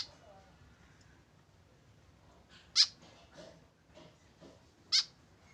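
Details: A tame white-breasted woodswallow without a companion gives two harsh nasal calls about two seconds apart, with softer faint rustling sounds in between.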